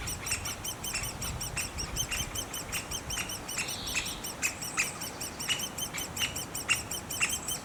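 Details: Great spotted woodpecker nest with a continuous high, quick chirping chorus, punctuated by scattered louder harsh notes and a short buzz near the middle.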